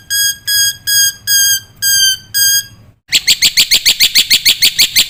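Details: Black-winged myna in a masteran training recording for young cage birds: six long steady whistled notes, a short pause, then a quick series of loud, buzzy harsh notes.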